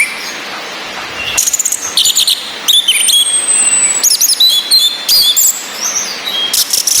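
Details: Female orange-headed thrush whistling, used with rain sounds and a relaxed male's song to rouse males that only twitter into full song and breeding drive; high thin whistled notes and sharp chirps in bursts over steady hiss.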